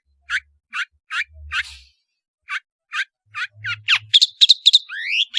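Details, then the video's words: Cendet, or long-tailed shrike, singing freely: short, separate chirps spaced about half a second apart, then a rapid run of sharp, varied whistles and rising slurred notes. A faint low hum lies beneath. "MASTERAN BURUNG CENDET GACOR"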